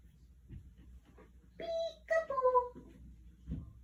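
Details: Pet Quaker parrot talking indoors during a peek-a-boo game with its owner: three clear, tonal, voice-like syllables in quick succession, the last one drawn out and falling in pitch, over quiet room noise.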